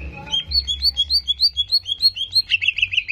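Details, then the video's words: Greater green leafbird song used to provoke aggression in a rival bird: a fast run of sharp, bright chirped notes, about three per second, rising slightly in pitch and ending in louder, harsher notes, with a low hum beneath. "PANCINGAN CEPAT MENAIKAN EMOSI CUCAK IJO"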